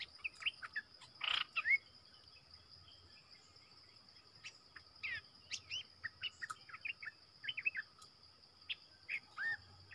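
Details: A wild streaked bulbul, likely male, with its family, gives short, scratchy chirps and brief rising notes in loose irregular bursts, over a steady high insect-like whine.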